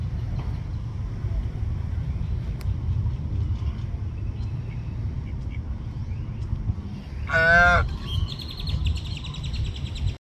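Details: A swan goose preening at a public pond on 1 May 2023, about 14:34, gives one loud, harsh, nasal honk near the end, wavering in pitch, followed by softer calls, over a steady low background rumble.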